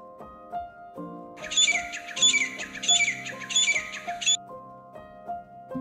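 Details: Grey francolin; call; breeding-season calling by males that attracts rival challengers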